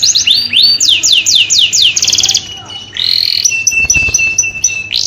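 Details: Mating song of a canary, used to spur breeding: a run of descending swooping notes, a fast buzzy trill, then a sustained warble and evenly spaced short piping notes.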